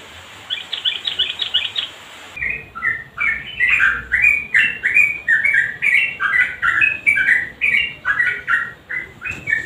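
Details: Yellow-vented bulbul, a lively songster recorded to coax quiet birds into singing: two seconds of soft rapid chatter give way to loud, bubbly phrases of short clear whistled notes, stepping up and down in quick bursts.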